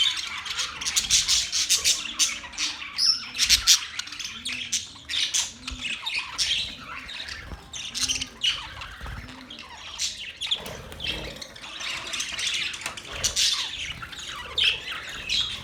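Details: Long stretch of bird chatter from October 3, 2023: many birds chirping and squawking at once, rising and falling in bursts, with a few brief softer moments.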